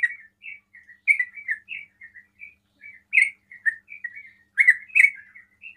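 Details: Softer 'ropel' singing from a sooty-headed bulbul that provokes rival bulbuls to call; a loose string of short whistled and warbled notes, a few louder bubbly accents near the end.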